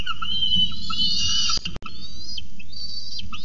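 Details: Very hungry falcon chicks demanding dinner, recorded 26 October 2018: loud, harsh, high screeching with a strained, wavering pitch, one long drawn-out cry and then shorter rising-falling squeals, broken by a brief dropout.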